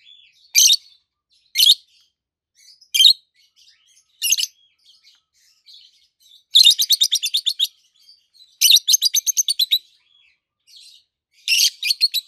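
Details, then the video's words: Chirping pair of adult peach-faced lovebirds, both green, one with a red face and one with a yellowish-white face: loud single shrill chirps, then fast stuttering runs of eight to ten sharp notes, and a closing burst. "Lovebirds Sounds - Peach-faced Lovebird"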